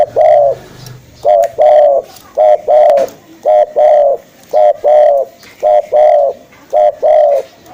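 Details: Spotted dove call for luring, steady series of phrases: two short hoarse coos then a longer drawn coo, repeated about every second, with a brief low hum at the start.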